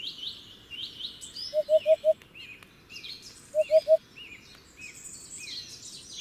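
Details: Hoopoe giving soft, low hollow 'oop' notes, a quick run of four, then a pause and a run of three, while other birds chirp and twitter at higher pitch throughout.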